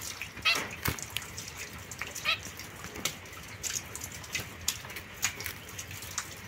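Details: Young caged pair of zebra finches, white female and mosaic-coloured male, kept apart from other birds, 22 September 2024: two short nasal, harmonic-rich beeping calls about two seconds apart, over steady clicking and rustling cage noise.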